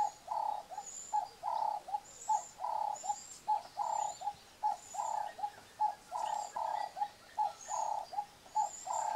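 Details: Nesting red-billed hornbills, male bringing food to the female sealed inside a tree hole, old VHS recording: evenly spaced hollow clucks repeated about once a second throughout, with thin high squeaks between and a hissy background.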